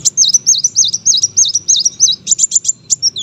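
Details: Brown-throated sunbird competition bird delivering a steady run of looping, high-pitched whistled notes, about five per second, ending in clipped chirps; soft low hum underneath.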